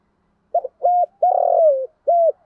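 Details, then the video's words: Decoy spotted dove kept to draw in wild doves, giving one full four-part coo: a short broken note, a flat hollow note, a long wavering note that sinks at the end, then a final flat note; no other sounds. "chim cu mồi thúc gù bài bản nhất hiện nay, chim cu gáy kích bổi hiệu quả nhất hiện nay"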